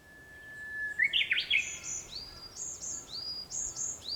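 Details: Japanese bush warbler song at dawn, 4 May 2021: a plain whistled note held about a second, then a sharp jumbled phrase, followed by a steady series of high rising chirps from other birds.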